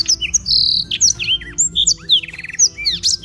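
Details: A black-throated canary in Beng, Gianyar, Bali, sings a fast, unbroken medley of high whistles, sliding notes, buzzy phrases and a quick rattling run of repeated notes, with only faint hum behind it.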